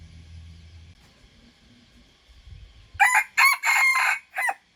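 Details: Young wild red junglefowl rooster practising crowing: after three quiet seconds with a faint low hum, a loud harsh crow bursts out as two short syllables, one long sustained note, then a clipped final note.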